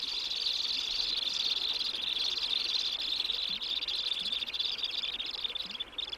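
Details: Common kingfisher chicks, eight days old and still blind, crying for food in the burrow while the female warms them, in Germany's Westerwald riverbanks: a steady, high, buzzy churring chorus barely pausing, with faint scattered clicks below.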